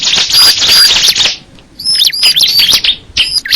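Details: Bar-winged prinia giving dense, high-pitched twittering with thin whistled notes, a brief gap after about a second, then more rapid chirping phrases.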